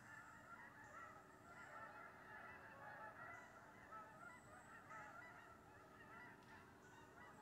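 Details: A flock of geese dropping into a wheat field one October 25th morning, heard from a deer stand; rolling, overlapping honks swell and fade roughly once a second in a thick, steady chorus.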